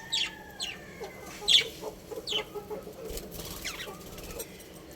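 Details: Pet budgerigars at home chirping: a loose series of short, sharp chirps and quick downward-sliding whistled notes. Some are louder and some fainter, with pauses between them, over a faint steady background hiss.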